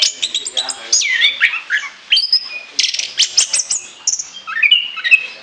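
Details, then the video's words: Orange-headed thrush song for use as a lure: sweeping slurred whistles, falling and rising phrases and rapid chips in a varied, energetic sequence. "ANIS KEMBANG NGOCEH NGEPLOOONG"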